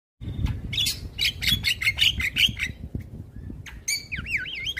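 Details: Black-winged starling (white-eyed form), very vocal, singing in the morning as training material to prompt other birds to sing. Starts with harsh squawky chatter over a low rumble, then moves into clear, wavering whistles near the end.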